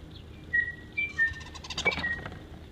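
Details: A starling, recorded mimicking numerous sounds and birds, gives several short, clear whistled notes, flat or slightly sliding, then a burst of scratchy, rattling chatter over quiet background hiss.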